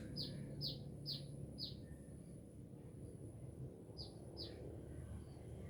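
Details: Sunbird singing actively in Binjai: high, thin downward-sweeping chirps in two bursts, four quick notes then two more after a pause, over a steady low background rumble.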